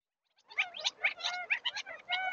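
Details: A group of Gambel's quail squabbling: a quick run of harsh, raspy, chattering notes, several per second, with some sharper squeaky tones mixed in.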